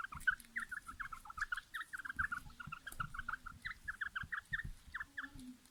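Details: A quail readied for fighting gives a fast, steady run of short, mid-pitched chirping notes, about five a second, over low thumps and rustling.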